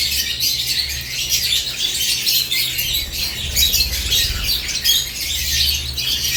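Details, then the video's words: In a cage in the morning, lovebirds twitter continuously, sharp high-pitched chirps overlapping in a busy stream, with a low hum audible underneath. "Morning Lovebirds Cage Moments | Natural ChirpingSounds"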